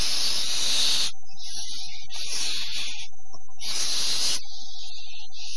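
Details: Barn owl owlets, almost grown, hissing at a calm dawn after a wet and windy night, October 2015: long breathy hisses repeat about every three seconds, with quieter hissing between and faint low rustles.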